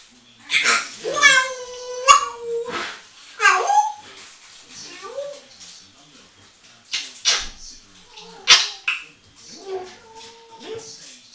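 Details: Eight-year-old pet female African grey parrot chatting to herself in a bathroom: nasal, voice-like phrases with wavering tones and a few clicks, pausing between bursts, reverberant indoor sound.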